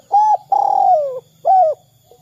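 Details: Spotted dove calling 'kuk 2', meant to prompt other doves to call: one short coo, a long buzzy coo that falls away, then another short bent coo, clear and close.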